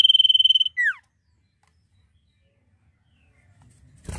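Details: Common Iora singing in full 'nyiul' style: a long, even, buzzy trill held at one high pitch for under a second, then a quick downward-sliding slurred note, followed by silence.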